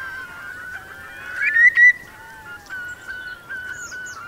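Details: Eurasian curlews sheltering in Marquenterre's wet meadows, Bay of Somme, at a strong high tide on 7 October 2021. A sustained whistled tone is broken by two louder rising calls, then short repeated notes.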